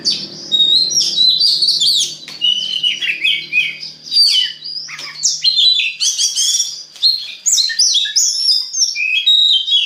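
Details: Oriental magpie-robin song played to stimulate other magpie-robins to sing: a loud, varied, continuous stream of sharp chirps, squeaky slurs and quick whistled phrases, with short pauses between dense bursts throughout.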